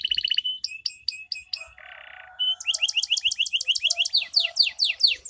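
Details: Canary lure song for lazy singers: spaced sharp chirps, a short buzzy roll, then a long fast series of rising whistled notes repeated about twice per second and quickening.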